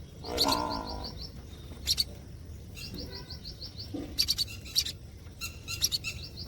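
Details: Lovebirds at feeding time giving bursts of sharp, high chirps, some run together into quick rattling series, repeated every second or two with short quiet gaps and faint low background noise.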